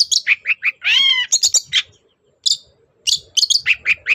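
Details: Long-tailed shrike morning song meant to make other birds answer: quick sharp notes, a drawn-out nasal harsh call, then rattling chips, a short silence and more varied sharp phrases.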